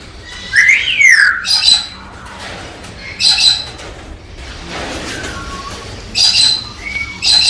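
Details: Galah cockatoo stimulating the female to mate: a falling whistled squawk followed by short harsh rasping calls spaced a couple of seconds apart, with quieter background chirps.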